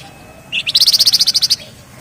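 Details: Rapid ngebren phrase from a Javan Fulvetta: a rising lead note, then a tight run of about twelve evenly spaced, sharp high pulses, about one second long.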